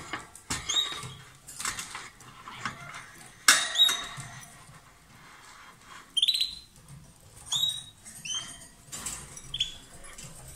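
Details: Lovebird pair singing loudly during kissing or food exchange; harsh chatter gives way to a series of sharp, slightly falling squeaky chirps repeated about once a second.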